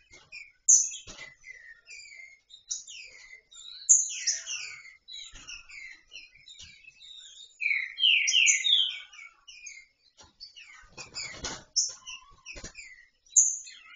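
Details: Female green-winged saltator, loose, calling for mating with a steady stream of busy high chirps and down-slurred whistles, some louder clustered notes, and brief bursts of rustling noise.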